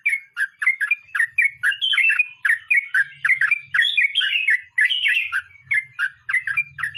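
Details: Sooty-headed bulbul in a 'ngeroll mbonang' rolling song, a continuous chain of mellow, bouncing whistled notes swooping down and up, packed closely together with barely a pause, plus a faint low hum in the background.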